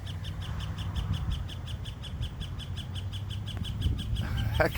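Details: A woodpecker raps steadily on a metal lamppost high up, with sharp ringing taps about four or five per second throughout, over a low rumble of traffic or wind; probably not many bugs in the metal pole.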